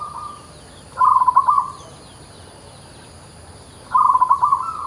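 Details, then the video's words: Local-type zebra dove in vigorous song: two phrases of quick stuttering, bubbly coos about three seconds apart, each ending in a short held note, with quiet hissy pauses between. "PERKUTUT LOKAL GACOR LOKAL"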